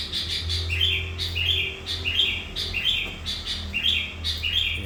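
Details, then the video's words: Kept sooty-headed bulbul in full gacor voice, a bird used to lure hundreds of wild bulbuls: short whistled phrases that rise and fall, repeated about every second, over a steady run of dry pulsed chirps and a low hum. "Burung Kutilang qu dengan suara Gacor sudah ratusan Burung Kutilang yg berhasil di pikat nya."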